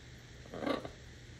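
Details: Macaw calling in the morning: one short, harsh squawk lasting about a third of a second, rough and harmonic-rich, then quiet with a faint low hum behind.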